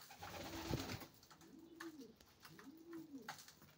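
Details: A racing pigeon gives clear, deep, bowed coos, each swelling and falling, two in quick succession after an earlier thump.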